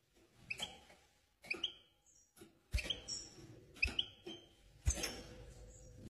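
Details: An excited European goldfinch gives short bursts of bright, twittering chirps, about one burst a second, with clicks and knocks in between.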